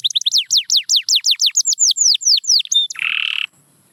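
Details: Singing canary used as a trainer for quiet birds, pouring out a rapid series of descending whistled sweeps, then a brief buzzy rattle before falling silent.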